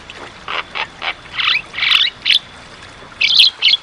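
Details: Javan myna in full, vigorous song for training caged birds: soft clicks lead into loud raspy bursts, a pause, then two final harsh squawks.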